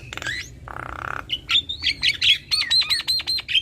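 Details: A black-winged starling pair, male with female, duetting: harsh rattling notes, a buzzy rasp, then a rhythmic series of repeated rising-and-falling whistled notes.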